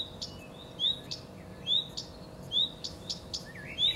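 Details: Common redstart giving high rising whistles, irregularly spaced and mixed with sharp dry tick notes and a brief lower chirp near the end, against a constant low background hum.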